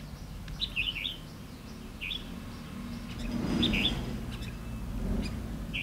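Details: Decoy red-whiskered bulbul in a trap, 9 September 2016, singing to draw in rivals: short lively warbled phrases repeated every second or two, with a low background rumble swelling midway.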